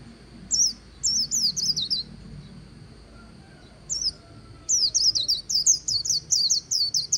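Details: White-eye singing its líu song beside the Kỳ Cùng River: rapid, very high twittering phrases of descending slurred notes, one burst near the start, a short one at four seconds, then a longer run of quick chirps to the end.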